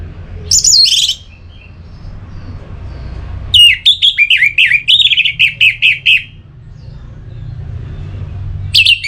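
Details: Song of an Orange-headed thrush, used to stimulate singing: a brief high phrase, a pause, then a fast string of repeated sharp whistled notes lasting about two and a half seconds, ending with another high fragment.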